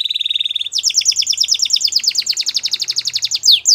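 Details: Waterslager canary in song: a rapid steady trill, switching to a bubbling fast rolling passage of doubled notes, ending in downward whistled sweeps; faint low hum underneath.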